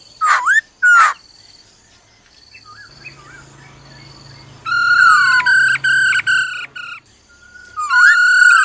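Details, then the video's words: A female laughingthrush's 'ro ro' calls to provoke a male. Harsh clipped notes and soft wavering whistles lead to a long, steady, buzzy tone interrupted several times, then a rising whistle into another held note. "Khướu mái ro ro kích trống nhanh căng lửa"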